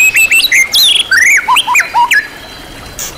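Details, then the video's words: White-rumped shama, champion class, performing a master song rich in imitated material. Rising and falling whistles, a swooping upslur and several sharp downslurred notes tumble past quickly before the bird falls silent. "MASTERAN MURAI BATU KELAS JUARA SEGUDANG MATERI | MURAI BATU FULL ISIAN MEWAH TERBARU"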